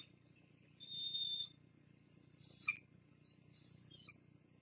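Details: Begging from Bald Eagle chicks being fed fish by the female at a wild Fraser Point nest, from a live camera in April 2022: three separate high, thin, drawn-out whistled notes, each about half a second long, over low background hiss.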